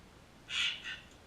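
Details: A crimson rosella (Platycercus elegans) at a backyard bird feeder in Canberra, Australia, gives a harsh, raspy screech, then a shorter, softer second note; otherwise quiet.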